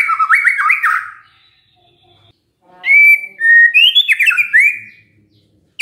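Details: Prompting song of a white-rumped shama to make other shamas answer: a jumpy whistled phrase, over a second of silence, then clear drawn-out rising whistles running into a lively warble.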